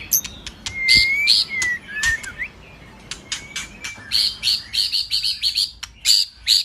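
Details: White-rumped shama song for exciting a male to sing: sweeping whistled slides and clicks early on, then a long rhythmic series of short bright notes repeated about three per second.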